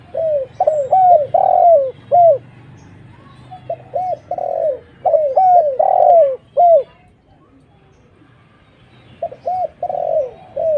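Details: Spotted dove lure sound aimed at bringing in other doves. Repeated arched coos in three overlapping bursts, partly answering one another, with a short silence before the last group.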